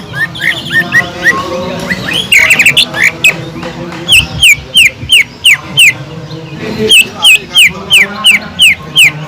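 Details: Captive greater green leafbird singing a song used to train other cucak ijo, with mimicked tengkek udang (kingfisher) phrases: sharp downslurred whistles repeated about three per second over a dense chattering backdrop and low hum.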